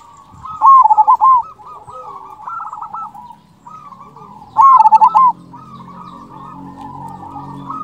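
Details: A local zebra dove with a big "kung" voice, used as a lure to stir quiet doves into calling, sings bursts of rapid, bubbling staccato coos, with softer cooing between them.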